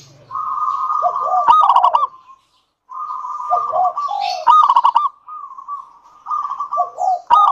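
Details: Local zebra dove in Indonesia singing vigorously as a lure for other doves: a steady ringing coo tone broken by quick stuttered notes and drooping slurs, repeated in phrases about every three seconds with short pauses.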